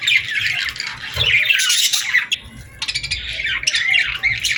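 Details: Summer evening at sunset with a chorus of birds chirping: many overlapping high, harsh twitters and squeaky notes in steady, busy bursts, with faint low rumbling underneath.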